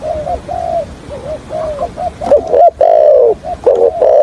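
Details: Decoy spotted dove for trapping in the hạp bổi voice: softer wavering coos at first, then louder long mellow coos and short stuttered hoots toward the end.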